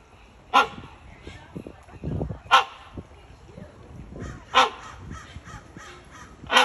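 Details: Caged Great hornbill (Buceros bicornis) at the San Francisco Zoo giving four abrupt, coarse barks spaced roughly every two seconds, each a short broadband blast, over a background of people talking and enclosure noise.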